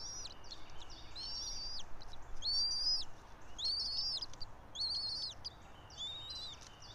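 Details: Bald eagle at its pine-top nest about 90 feet above ground in Johnson City, Tennessee, where a local pair lives, 04.03.2024 at 06:28; about six high, squealing, stuttering chirp series of bent whistled notes, repeated nearly every second.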